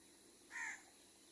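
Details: Wild crow, from a recording of a baby crow being fed and of angry crows: one short, rasping caw, loud and centred, against an even hissing background.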